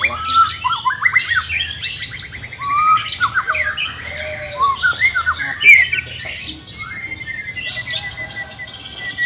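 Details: White-rumped shama in training for a bird reluctant to sing: a busy stream of chattering, buzzy and whistled notes, some in rapid trills, followed by a long steady whistle near the end.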